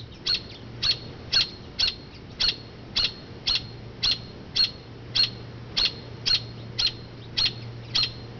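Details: Robin mother near her low oak nest, calling from a branch to draw attention away as people walk by: a long run of about fifteen bright, clipped chirps at an even pace, with a quiet steady hum underneath.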